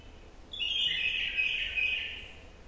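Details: New wild-caught bulbul singing one continuous warbled phrase lasting about one and a half seconds, rich and fluid, holding steady before fading, over a quiet background hiss.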